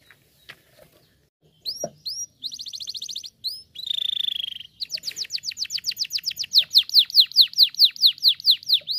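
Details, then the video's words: Canary song for chirping practice: after a quiet start with faint low rustling, high trills and fast repeated down-slurred syllables begin, then change into a buzzy rattle and a long run of rhythmic sweeping notes that grow louder toward the end. "the best canary sounds for chirping practice"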